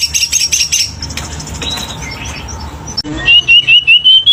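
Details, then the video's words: Selendang biru bird in vigorous song: a pulsed high chatter, a softer varied middle, then a string of loud clipped whistles repeated about every quarter second. "Burung Selendang Biru GACOR !!! | Isian melimpah !!!"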